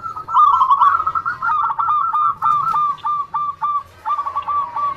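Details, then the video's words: Song of a zebra dove, used to stir other doves into singing: quick, bubbling runs of soft coo notes, broken into short phrases, with more doves audible underneath and a low background hum. "PANCINGAN UNTUK PERKUTUT MALAS BUNYI"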